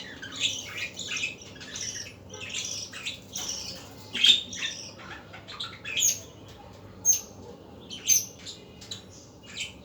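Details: Budgerigars in the afternoon chattering with scratchy squawks, warbled chirps and a few thin, sharp whistled notes, irregular and overlapping, over a low steady hum.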